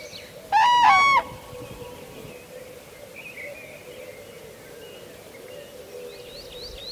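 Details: Common crane in Kupiškis district, Lithuania, giving one loud, rolling, trumpeting call of about half a second, rich and bugle-like, followed by quiet background with faint, distant chirps from other birds.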